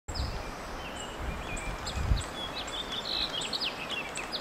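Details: Adult male purple finch perched on a branch gives a scatter of thin, high, short chirps and pips, some sliding slightly, over steady outdoor background noise and low rumble.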